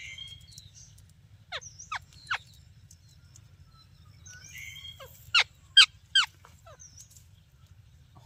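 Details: Talking parrot chirping: a few thin whistled notes at the start, then loud, sharp downward-sweeping chirps in two bursts, three spaced chirps early and three more later, over a steady low hum.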